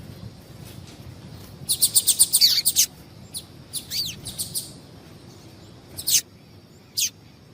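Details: Double-collared seedeater female calling to warm up males for singing contests: a fast burst of high, clipped chirps, then scattered sweeping notes and two final sharp chirps, all over faint background hiss.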